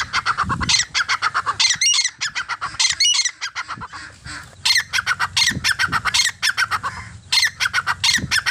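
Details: Grey francolin, male and female: loud harsh, buzzy notes in rapid repeated bursts, several strings of evenly spaced calls separated by short pauses, with a couple of higher squeaky notes and faint low background noise.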